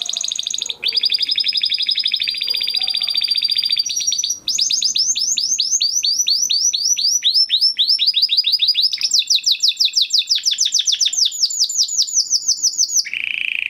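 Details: Huppe Spanish Timbrado canary, bred in 2020 and kept in a flock, delivering a long training song: loud, sustained rolling trills and rattles that shift between tours, with quick repeated downslurred notes and a final lower burst.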